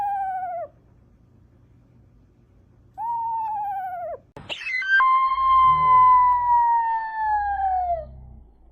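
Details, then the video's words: An owl gives two short quavering hoots, then, after a sharp click, one long steady hoot slowly falling in pitch over three seconds, with faint low rumbling beneath. Owl. "Owl Sounds"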